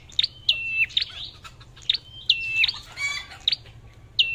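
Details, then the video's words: Red-whiskered bulbul kept as a lure, repeating quick upslurred chips linked to short flat whistles, a pattern recurring roughly every half second, with one brief harsh noisy burst midway. "tiếng hót chim chào mào mồi/sâu đầu đỏ cọp giọng AK"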